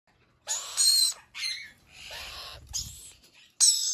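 Red-collared lorikeet giving harsh, high screeching calls in four or five bursts of about half a second each, with short pauses between.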